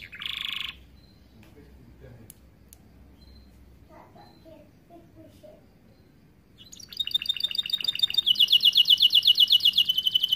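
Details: Starblue canary singing for the training of young canaries; a short burst of song, a long quiet stretch with faint background noises, then a loud, regular, rapid high trill to the end.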